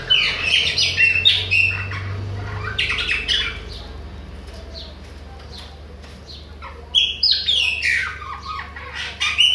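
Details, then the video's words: Chopi blackbird of the Bahia type singing nonstop: bursts of loud whistled and harsh squawky notes jumping between high and mid pitch, a quieter pause mid-way, then a fresh rush of sliding whistles, steady low hum beneath. "PÁSSARO PRETO BAIANO NÃO PARA DE CANTA NA CARA DOS OUTROS !"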